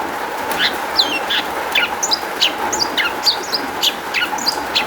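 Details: Long-tailed shrike, recorded to provoke other shrikes to sing: a varied jumble of high chirps, twitters and short slurred whistles delivered rapidly without a fixed pattern, over a faint continuous hum.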